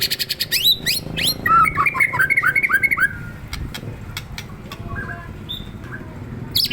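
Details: Provoked white-rumped shama delivering rapid clear whistles in quick runs, with sharp clicking noises and a low background hum.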